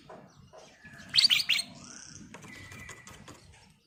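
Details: Sooty-headed bulbul (kutilang emas) singing eagerly as a lure: three rich, bubbly notes in quick succession amid faint background chirps, followed by a thin, steady whistled tone and soft twittering.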